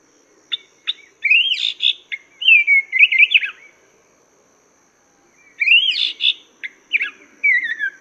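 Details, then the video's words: Chinese hwamei singing in a master recording for tutoring cage birds: a few sharp clicks lead into rich, slurred whistled phrases with buzzy overtones, a silent gap of about two seconds, then a similar phrase repeats. "Masteran Burung Poksay Mandarin"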